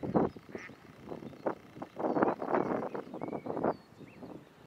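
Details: Ferruginous duck (Aythya nyroca) at Hraški mlaki pools, Hraše, 26 March 2023, giving harsh, rasping low notes in irregular bursts, several close together, with faint thin whistles from other birds behind.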